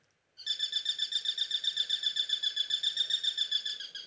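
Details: Eurasian sparrowhawk (Accipiter nisus) call: a rapid, steady series of high, thin piping notes, about four per second, the typical high squeal of this raptor, which a female cuckoo mimics to scare small songbirds from their nests.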